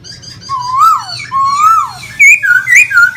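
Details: Caged laughingthrush kept as a pet bird in Vietnam, singing while dancing with fanned feathers; loud whistled phrases that swoop up and down, ending in a run of short, higher rising notes.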